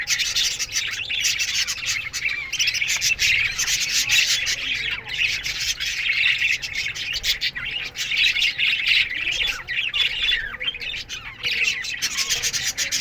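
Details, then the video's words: A budgerigar aviary colony chirping in the morning: constant overlapping high twitters, chirrups and occasional harsher squawks from many birds, forming a lively, unbroken chatter throughout. "Budgies Morning Chirping Sounds"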